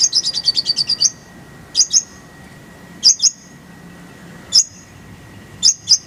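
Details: Kolibri ninja singing a full-isian master song. A quick roll of about ten bright, high chirps opens, then paired sharp chip notes repeat every second or so, with a faint steady hum beneath.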